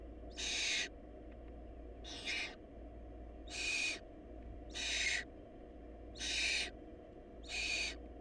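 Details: Nest of barn owl chicks during food shortage after siblicide; six noisy hissing shrieks, each under half a second, spaced about 1.5 seconds apart, over low electrical hum.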